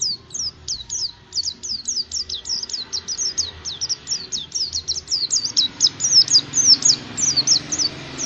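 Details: Oriental white-eye song used to prompt caged birds into singing: a fast, continuous run of very high, thin, sharply slurred chirps and twitters, roughly two per second, growing louder toward the end over faint low background hum.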